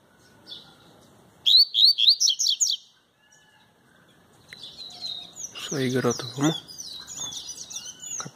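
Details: A double-collared seedeater, singing without a female present, gives bright, high whistled notes in quick repeated bursts, then a longer jumbled phrase. A brief rough noise and a man's voice show up faintly.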